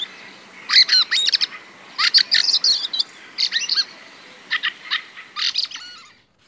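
Fieldfare song: bursts of harsh squeaks, creaks and chattering croaks in short scratchy clusters, with brief pauses between, and no musical phrases.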